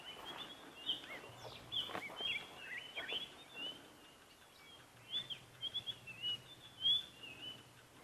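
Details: White-browed scrub robin sings thin, high, repeated whistled phrases and short trills in a morning chorus on 16 April at Rietspruit Game Reserve, Lowveld, South Africa, with dark-capped bulbul and faint Burchell's starling behind and a low hum.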